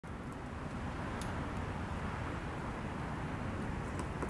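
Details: Steady broadband roar like wind or distant traffic, with a few faint clicks.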